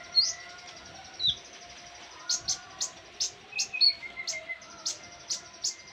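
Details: Konin in a song tutor recording: thin, high, ticking notes repeated rapidly and unevenly, with a few short lower trills mixed in, over a steady background whine.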